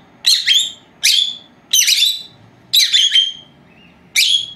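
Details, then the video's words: Pair of young female Agapornis lovebirds, four months old, at home during their nap; harsh, bright chirps repeated about once a second with short silences between. "Mis dos hembritas Agapornis, haciendo la siesta"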